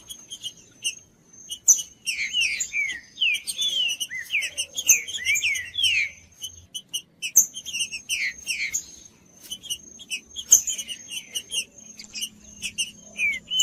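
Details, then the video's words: Green-winged saltator singing, as used to stimulate a quiet bird for breeders' song tournaments: bursts of slurred falling whistles and bright chips, pausing then resuming, over a faint constant high tone and low background rumble. "TRINCA FERRO CANTANDO"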